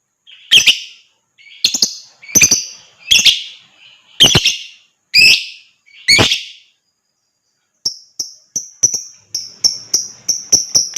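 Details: Lovebird, used to stimulate other birds to sing: a run of harsh, scratchy chirps, a short pause, then quick, high, sharp repeated notes that speed into a chattering ngekek-like series.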